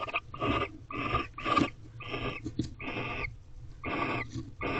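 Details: Pair of barn owls mating in a nest box in Corral, late February 2023, afternoon: a series of hoarse, wheezing screech notes at irregular intervals, some longer and drawn out, over a low humming background.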